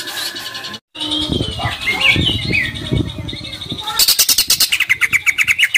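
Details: Greater green leafbird song meant to rouse other leafbirds; a muffled, noisy opening with faint whistles, then a sudden run of sharp repeated chips at the end.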